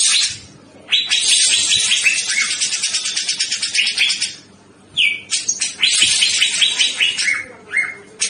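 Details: A male grey-cheeked bulbul (given as brown-cheeked bulbul, Alophoixus bres), used as a lure or tutor song, sings loud, rapid, high chattering trills in long bursts, broken by short pauses and a few clear whistled notes.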